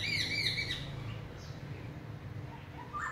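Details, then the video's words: A large-bodied, wild-voiced black-throated laughingthrush opens with a quick burst of loud, rich whistled notes that rise and fall, followed by a few softer rising whistles over a low steady hum. "Khướu bạc má giọng rừng bộ to đùng hay"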